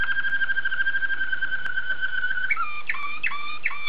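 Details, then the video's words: Waterslager canary from Belgium holding a smooth, low, flute-like tone for about two and a half seconds, then breaking into a series of gurgling, water-like notes that rise and fall. "Watarslager Canary Song Analysis"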